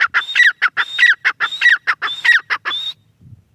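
A female grey francolin gives a loud, harsh, rhythmic series of paired notes, about three seconds of steady calling, then near silence.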